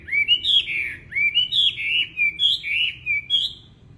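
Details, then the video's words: Wambi bird singing actively: a run of loud, clear whistled notes, each slurring up and then down, given at about two per second with brief gaps, over faint low background hum. "BURUNG WAMBI GACOR"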